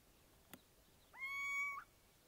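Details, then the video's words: Little owl giving its call: one sustained, cat-like mewing note, rising at the start, steady through the middle and flicking upward at the end, preceded by a faint click. "Mochuelo llamando"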